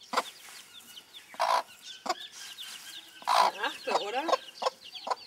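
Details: Broody bantam hen among her chicks: louder, drawn-out clucks and a brief stuttering series, with scattered high chick peeps between.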